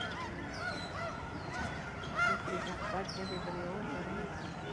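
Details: Honking snow geese in huge flocks at a migratory bird sanctuary in Delta, British Columbia, March 2011. Many overlapping nasal honks form a constant chorus, with one louder call near the middle.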